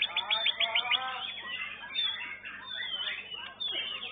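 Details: Contest song from a young white-rumped shama at a bird-song competition: opens with a rapid series of repeated short notes, then drifts into softer slurred whistles among other singing birds and background noise.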